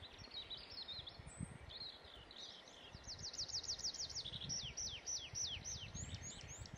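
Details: Estonian great tit producing a lively sequence of high chirps, then rhythmic, sharply falling notes delivered about three per second and ending in short upslurred whistles; faint low rumble and scattered background noise.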